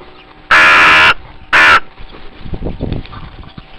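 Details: Crow near zoo windows early on Pentecost Sunday, giving two loud raspy caws, a long one followed by a shorter one, then faint scuffling and background noise.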